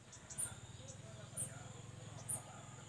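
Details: A blind orange-bellied flowerpecker chick begs while being fed, giving three very high, thin squeaks about one per second over a low steady rumble.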